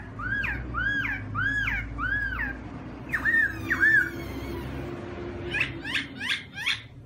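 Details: Black-throated laughingthrush in a bird cage singing loud: looping whistled phrases repeated roughly every half second, then two sharper whistles and a closing burst of quick rasping notes, with a steady low hum beneath.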